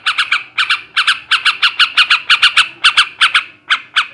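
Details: Male yellow-vented bulbul giving ngebrem and ngekek garuda song to excite breeding: rough, scratchy notes in pairs and triplets, evenly spaced, over a faint steady background hum.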